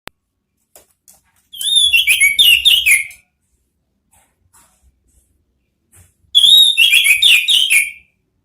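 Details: Orange-headed thrush used as a training song for other birds, delivering two bursts of rich, varied whistled and chattering phrases, each about one and a half seconds long, separated by a quiet pause.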